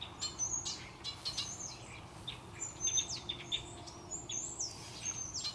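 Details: Small birds gathered in the top of a maple tree before a storm, darkening cloudy afternoon near Victoria, British Columbia; a steady stream of high chirps, slurred whistles and twitters from several birds.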